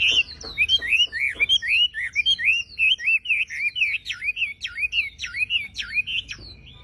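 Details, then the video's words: Javan pied starling in full, lively song used as training material for songbirds: fast, repeated whistled notes that rise and fall, about two per second, with sharp upslurs. Low hum in the background. "MASTERAN BURUNG WAMBI FULL TEMBAKAN GACOR DOR"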